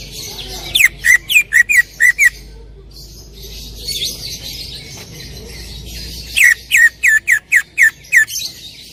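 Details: Loud 'tembakan' song of a greater green leafbird: two bursts of about seven sharp, ringing whistled notes each, delivered rapidly, separated by a few seconds of soft background twittering.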